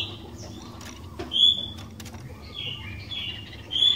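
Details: Sooty-headed bulbul in full voice, used as a lure to get other bulbuls singing: several clear, level whistled notes spaced through the passage, mixed with light clicks and tapping noises.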